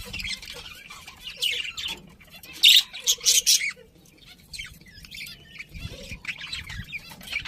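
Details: Budgies chirping in a group: scattered buzzy chatter, then a cluster of three or four loud harsh squawks around the middle, followed by softer warbling twitters.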